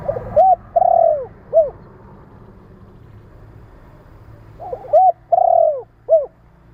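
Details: Spotted dove cooing, a recording meant to stimulate and train decoy birds: two phrases, each of stuttered short notes, a long low hoarse coo and a clipped final note, separated by about three seconds of faint background hum.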